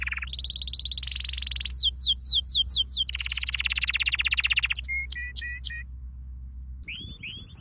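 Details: Canary training song: a rolling trill, a series of steep descending sweeps, a loud rapid trill, then short repeated notes, a silence and a few rising chirps.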